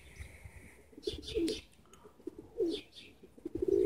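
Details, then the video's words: Spring 2017 birdsong at Borisovka in Bendery while trees blossom: low soft cooing notes in short bursts, with scattered higher chirping above and some background noise. "Бендеры Борисовка Весна 2017 Цветут деревья и поют птички"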